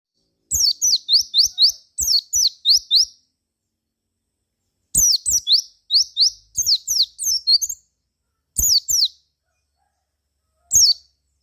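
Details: Javan white-eye song used to lure and prompt other white-eyes to answer: bursts of high, thin, rapidly repeated chirps sweeping downward, in phrases of about two to three seconds separated by pauses, on a clean quiet background.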